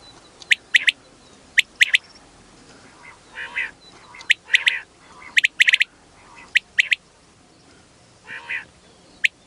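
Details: Quail call for hill areas, used to lure birds in: crisp high snapping notes in twos and threes every second or so, broken by a few short nasal, buzzy bursts.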